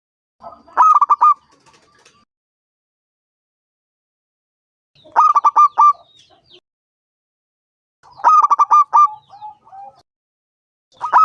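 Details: Five-year-old local zebra dove with a powerful voice, calling to entice other doves to sing: short, hurried phrases of rolling coos spaced about four seconds apart, with quiet gaps between.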